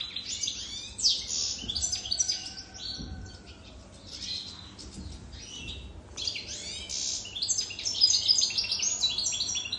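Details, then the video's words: Wild-caught adult European goldfinch, more than three years old, delivering rapid tinkling, liquid twitters and buzzy notes in two dense bursts separated by a quieter pause. "تغريد طائر الحسون"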